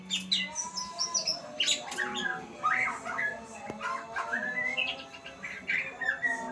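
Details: White-rumped shama mimicking learned sounds: high thin whistles and jumbled chirping bursts in uneven pulses, with a low steady tone at the start.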